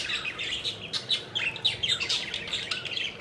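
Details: Pet budgerigars playing and flying about, a flock chattering continuously with dense overlapping warbled chirps and short squawky notes, bursts coming in quick succession throughout.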